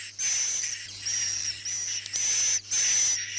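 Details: Swiftlets: the night calling track used inside a bird house to attract them. Long, buzzy, chattering high twitters with a fine sustained whistle line, interrupted by brief quiet breaks, about twice a second.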